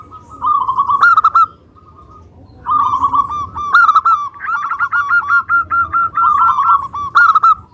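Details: Local zebra dove in full lively song, played to provoke other doves into replying: stuttering coo phrases, then a longer run of quick, evenly spaced cooing notes near the end.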